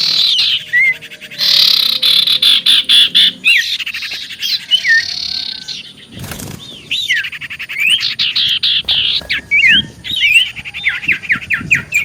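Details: Common iora singing as a lure to provoke replies: a dense run of looping whistled notes, harsh rattled bursts and rapid chips, with a brief flutter midway.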